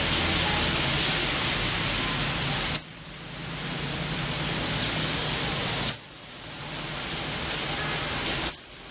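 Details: Female white-eye (pleci) calling with three short, thin, high descending chirps about three seconds apart, set against constant background hiss.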